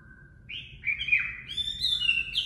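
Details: Chinese hwamei ('Họa Mi mộc'), used for voice training of caged birds: a soft low whistle, then loud slurred whistled notes rising into bright, varied high phrases over a faint low hum.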